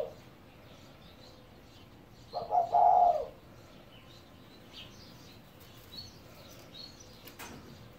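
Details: A 17-year-old pet spotted dove giving a single low, soft coo phrase lasting about a second, surrounded by quiet background hiss and scattered faint high chirps from other birds.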